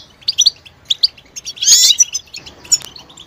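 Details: European goldfinch calling in the betbeta style, said to stimulate males toward singing and mating readiness: a few spaced high chirps, then a loud buzzy rasping burst midway, followed by sparse twitters and a sharp click.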